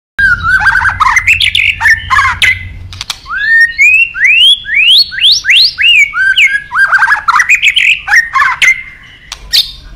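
A White-rumped shama pours out a loud, varied song of rich whistles and quick rising sweeps in rapid phrases, with a faint low hum early on.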